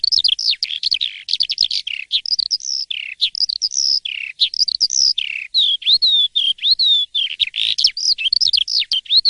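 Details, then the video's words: In the morning an Asian pied starling (jalak suren) sings a rich, rambling sequence of chattering clicks, bright whistles and swooping notes that dip and climb, steady in volume throughout. "Kicau dipagi hari!! BEGINI JALAK suren yang gacor dan ngeplong di waktu pagi"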